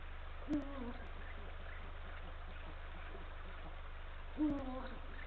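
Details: Wild male Eurasian eagle-owl on a nest branch on Estonia's northern coast, calling to his mate early on 17 March 2023. There are two short, low hoots with a dipping tail, roughly four seconds apart, over a constant low-frequency hum.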